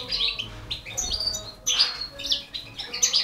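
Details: Four baby canaries being fed by a Balkan goldfinch; sharp high chirps arrive in clusters separated by brief pauses, some notes squeaky and rising.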